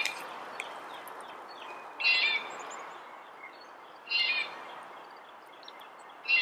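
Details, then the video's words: Red-bellied woodpecker uttering harsh, buzzy rolling notes about every two seconds amid low background noise and faint chirping. "Red bellied Woodpecker Bird Sound, Bird Song, Bird Call"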